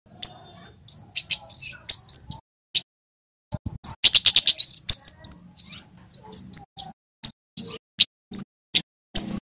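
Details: Male Javan kemade (white-bellied sunbird) in full song, used as a lure to get birds to sing: rapid high, thin chirps and sharp down-slurred notes in bursts, with a dense buzzy trill near four seconds and brief pauses between phrases.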